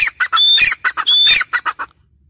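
A female grey francolin gives a quick run of about nine harsh, high squawking notes. Two longer, ringing notes sit in the middle, all within two seconds.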